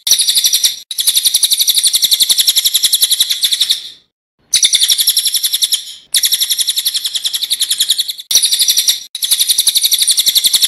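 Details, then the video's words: Cililin singing a continuous rolling master song (ngeroll) meant to train songbirds, loud and sharp: fast high buzzing notes strung into long trills, broken by brief pauses and one longer gap. "Masteran Burung Cililin gacor ngeroll full nembak suara alami"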